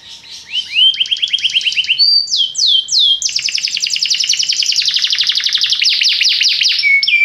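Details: Belgian canary song opening with a few upward-sweeping slurred notes, then several loud rising whistles, followed by a long, rapid, rattling trill that continues to the end.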